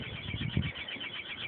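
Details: Chimney swift and her babies nesting inside a chimney with no rain cap: a steady, raspy chatter, high and buzzy without pause, echoing over a low hollow rumble.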